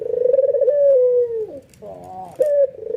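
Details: Nodding, excited white albino ringneck dove whose calling stirs other doves to join; a throbbing low coo easing downward, a brief reedy rising note, then the next coo beginning.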